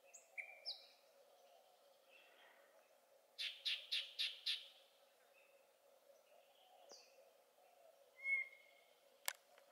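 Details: Yellow-breasted Chat at Cibola NWR, Arizona, on 7 June 2020, singing a disjointed mix of high whistles, five harsh quick chattering notes and a clear rising whistle, over a steady insect-like hum.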